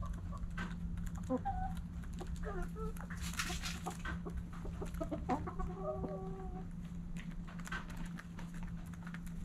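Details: Backyard chickens at morning sunrise. Hens cluck in quick, uneven runs of short, tonal notes, some drawn out and some clipped, with a hissing burst of noise partway through and a steady low hum beneath.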